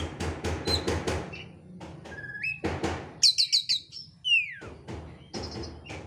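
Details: Fast, insistent oriental magpie-robin lure song packed with varied material: rapid harsh rattling pulses give way to a cluster of high clipped notes, a rising whistle and a long descending whistled sweep, then more rattling.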